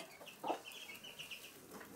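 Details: Hen with chicks inside a house at Sandoval de la Reina in April 2016; one short low cluck from the hen stands out over a line of soft high chick peeps.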